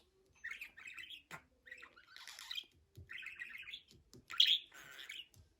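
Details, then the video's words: A talking budgerigar chatters in scratchy, warbled bursts of mimicked speech, about half a second to a second each, with short squeaky chirps between, while a person talks in Turkish nearby. "MUHABBET KUŞU | DİNLET KONUŞSUN"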